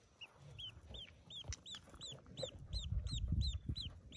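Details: Newly hatching ducklings, yellow, among a brood of forty in a cave nest, giving high, thin, arched peeps several times a second over a low rumbling background.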